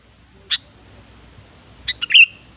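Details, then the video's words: A sooty-headed bulbul singing in the wild gives a lone sharp chirp, then after about a second a rapid phrase of three quick notes running into a slurred whistle, over a low background murmur. "suara burung kutilang ASLI ALAM LIAR"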